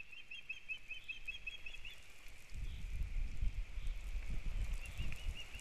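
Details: Osprey at a nest in Kurzeme, Latvia, at the start of the breeding season, April 2022: a quick string of thin whistled chirps for two seconds, then strong wind buffeting, with a few faint chirps returning near the end.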